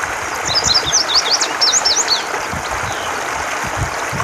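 An indigo bunting sings a quick, high series of sharp, paired sweeping notes lasting about two seconds, over a steady rush of water-like background noise.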